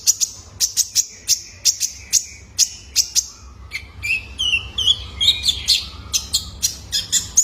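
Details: {'text': "Juvenile male Van Hasselt's sunbird, kept to stimulate caged birds to sing. A rapid series of sharp, very high chirps, then thin twittering notes with short sliding whistles."}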